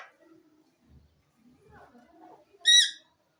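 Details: Talking pet ring-necked parakeet, a green parrot: soft, faint mumbling sounds, then one loud, sharp, rich screech near the end.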